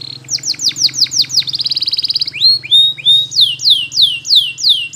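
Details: A canary sings a training song. A run of descending sweeps and a brief fast trill are followed by upslurred whistles and then a steady series of loud downward swoops.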